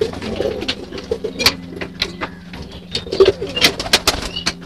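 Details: Low murmuring coos from pigeons inside their loft while being fed, mixed with sharp clicks and rustling from the birds, over a quiet ambient music bed.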